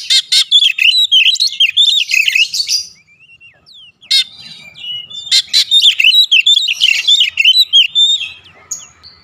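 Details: Varied, fast Oriental magpie-robin song in two long bursts of mixed whistled, chattering and scratchy notes, separated by a short near-silent pause; little other sound.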